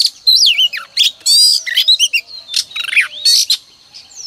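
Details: Oriental magpie-robin hen singing to excite males, varied loud phrases of rising and falling whistles mixed with harsh rasping bursts, ending in a thin upslurred note.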